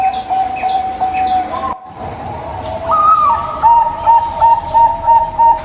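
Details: Local zebra dove song, meant as a lure to coax a zebra dove that will not sing: a soft coo, a short pause, then a rapid string of even, rhythmic cooing notes. Faint background chirping.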